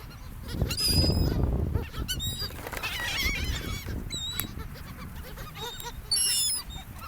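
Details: Flock of seagulls on an ocean beach by a gulf, around people: bursts of high, nasal, quavering cries from several gulls, with a louder crowded chorus near the end, over a low roar of waves.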